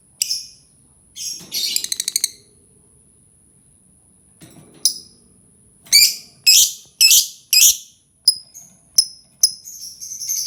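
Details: Lovebird sound played to encourage other lovebirds to sing: scattered sharp high chirps and a short buzzy rattle, then a quickening run of loud chirps and thinner whistled notes, with a steady faint high tone behind.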